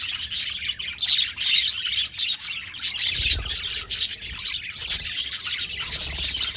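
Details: Budgies chirping together, bright, high twitters and scratchy warbles overlapping in a continuous stream, with a few louder chirps standing out.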